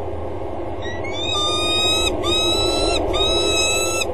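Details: Peregrine falcon female on a water tower gutter edge in Axel, early morning of 25 February 2013, calling as she walks toward the male before copulation; three drawn-out, nasal, strained wails follow a rising onset, back to back, with a steady low hum beneath.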